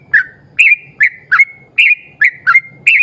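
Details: A vigorously singing yellow-vented bulbul in 'ropel' style, played to coax other bulbuls to sing: slurred whistled chirps, some stretched into level tails, about eight in three seconds, with a low hum behind.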